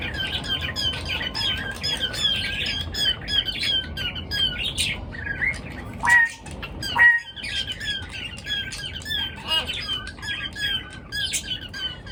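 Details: Birds chirping in the morning: rapid high twittering chirps run almost continuously, broken by a few louder, sharper calls near the middle, over a low steady background hum.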